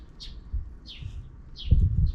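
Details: Sparrows calling in the afternoon from outside the camera frame: three short, bright chirps spaced about half a second apart, with soft low thumps and knocks underneath.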